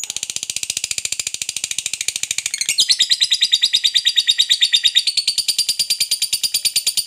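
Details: Extended ngekek from a fighter lovebird used to stir other lovebirds: a dense, shrill, machine-like chatter that becomes louder and clearer after nearly three seconds.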